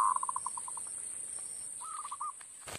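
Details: Zebra dove lure call for trapping: a run of short evenly spaced coos slowing and fading, then after a pause a fuller rolling phrase of quick coos, ending with a sharp knock.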